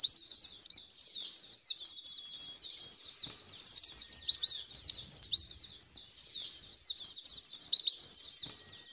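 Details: Lure song of a white-eye meant to prompt a caged bird to answer and sing long: a continuous high-pitched chatter of fast, slurred chirps and squeaky upsweeps, swelling and fading in short bursts.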